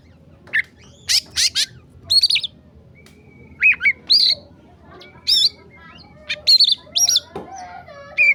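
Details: Oriental magpie-robin in emosi masteran song: harsh, squawk-like rasping notes mixed with arched whistles and bright chips, delivered in short bursts with brief silences between them.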